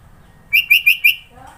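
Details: Sooty-headed bulbul, Sidoarjo, East Java, singing one quick bubbly phrase of four bright whistled notes, followed by a faint low murmur.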